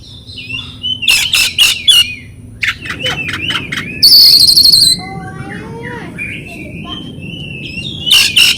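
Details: Oriental magpie-robin (kacer) lure song for silent birds: loud harsh bursts and whistles, a buzzy high trill, slurred descending whistles and a wavering tone, ending in harsh notes.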